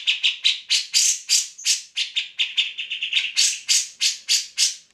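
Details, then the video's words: Lively grey-cheeked bulbul, recorded to train other songbirds such as magpie robins: a quick series of loud, harsh, buzzy notes, about three per second, briefly speeding into a tighter chatter midway. "Cak Jenggot Gacor"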